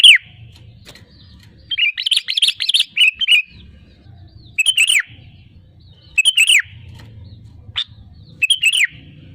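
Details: Sooty-headed bulbul singing to lure other birds into song; a busy chatter of quick whistled notes followed by short bright phrases spaced about a second apart over a low background hum.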